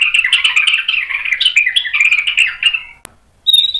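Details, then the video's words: White-rumped shama pouring out sharp fill-in song as a lure for other birds: a continuous scratchy, chattering warble for nearly three seconds, a sharp click, then a pure high whistle. "MURAI BATU GACOR bongkar isian tajam cocok untuk PANCINGAN biar ikut NYAUT BUNYI"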